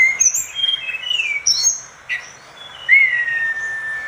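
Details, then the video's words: Orange-spotted bulbul in lively song, meant for schooling other songbirds: a few high squeaky slurs followed by a loud, clear whistle that rises sharply then glides slowly downward. "Tledekan gunung gacor dor masteran segala jenis burung"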